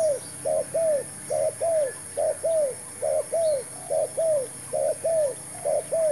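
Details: Spotted dove used as a decoy bird while trapping wild doves, giving paired mid-pitched arched coos, repeated in a steady rhythm about once a second, over a constant high-pitched hiss.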